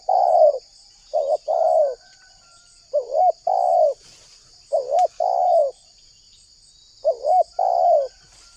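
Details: Spotted dove from Indonesia, a lure sound for wild doves: three phrases of low mellow cooing, each a quick wavering note followed by a fuller drawn-out coo, spaced about two seconds apart over a steady high background hiss.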